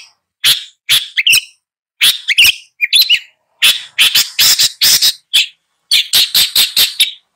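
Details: Long-tailed shrike with a scratchy, chattering song of harsh rasps and squeaky notes given in fast clusters, separated by short gaps.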